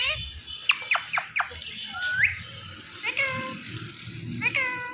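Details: Indian ringneck parrot giving a quick series of sharp, squeaky sweeps, then a rising whistle and several harmonic, voice-like calls over a background of steady noise.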